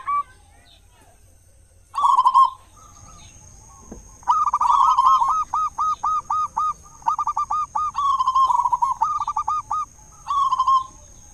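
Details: Local zebra dove with a large voice, a lure for other doves at morning and evening: rolling coos and a long fast series of looping, clipped notes, with a thin steady high tone in the background.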